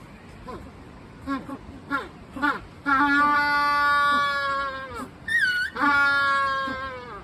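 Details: Magellanic penguins at Joetsu City Aquatic Museum Umigatari in Japan, suddenly getting noisy after resting. Several short rising honks, then a long, loud, harmonic braying note, a brief shrill squeal, and another sustained bray.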